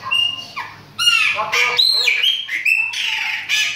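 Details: Chopi blackbird singing a loud, varied run of clear whistles, rising slurs and harsh squawky notes, delivered in quick bursts with almost no pause.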